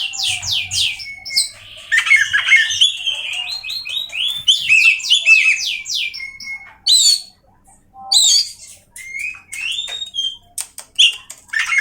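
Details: Oriental magpie-robin, a kept songbird in Indonesia, singing a varied, loud song of rapid whistled and sweeping notes, trills and buzzy phrases with short pauses between bursts.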